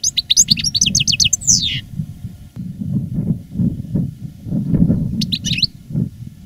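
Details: Caged European goldfinch of reclamo style, 2017, after moulting: an opening run of quick tinkling notes ending in a descending slur, then a long gap of low rumbling noise and one short final burst.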